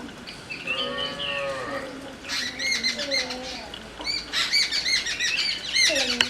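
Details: Jungle babbler calling: a drawn-out, wavering nasal note early on, then harsh chattering bursts of quick arched notes repeated in rapid runs, several calls overlapping.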